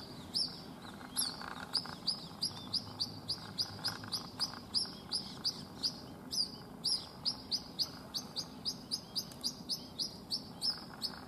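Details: A White-breasted waterhen chick, unable to fly and left alone after its mother flew over a wall, calls non-stop with thin, high, downslurred peeps, two or three a second, over a soft background hum.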